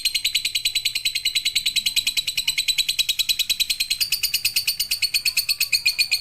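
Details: Lovebird tutor recording for night-time training: unbroken stream of evenly spaced, buzzy chirping notes, steady and high-pitched throughout, growing slightly brighter in the last two seconds.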